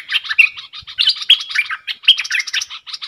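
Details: Caged bulbul singing in a duel with wild birds, 3 October 2021: dense, jumbled warbling with several clear whistled notes that fall away, delivered almost without pause.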